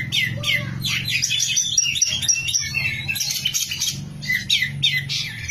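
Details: Oriental magpie-robin (kacer) delivering a busy, varied song: fast trills, clipped chirps and short whistles in quick succession, with a steady low hum throughout.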